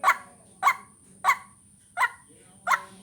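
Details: Bird-luring call of a white-breasted waterhen (ruak-ruak): five strong, hoarse croaks at uneven intervals of about half a second, over a steady high whine.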